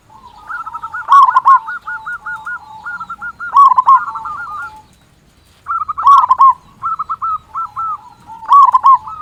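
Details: Big-voiced local zebra dove singing constantly to spur quiet doves into song: long rattling strings of quick coo notes broken by louder rolling bursts, repeated about every two to three seconds with one clear gap.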